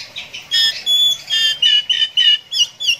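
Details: Oriental magpie-robin (kacer) singing in the konslet 'ngeplay adu mekanik' style: a run of short, bright, ringing notes at a steady high pitch, repeated several times a second in separate bursts. The background is quiet.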